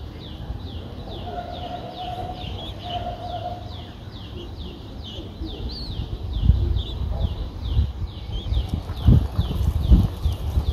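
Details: Young Streak-eared Bulbuls at nine days, recorded 11 April 2023 in Ubon Ratchathani, Thailand: a fast, even series of short high downslurred notes, several per second, with low rumbling and bumps underneath.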